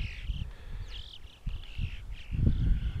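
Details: Yellow-billed chough in the mountains of the French Alps: drawn-out, slightly buzzy whistled calls, some rising, run together in a loose series, over heavy low rumbling wind noise.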